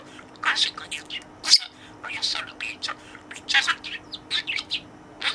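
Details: Pet budgerigar playing with the toy in its cage and addressing it in learned words; quick chirpy, whispery speech-like bursts come in clusters, with brief silences between.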